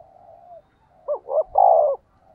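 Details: Decoy spotted dove calling to lure wild birds: a soft steady hum, then one phrase of two short rising notes and a longer, louder, level coo.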